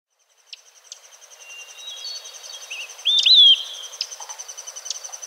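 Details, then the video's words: Olive-sided flycatcher singing in a Newfoundland forest: one loud whistled phrase of a short lead note and then two slurred notes, heard once midway. Faint chips from other birds and a steady insect-like hiss fill the background. "Olive-sided Flycatcher Song"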